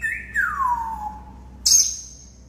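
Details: Domesticated African grey parrots whistling: a clear tone sliding down in a long smooth glide, then a sudden very high sharp whistle held briefly, over a faint low hum.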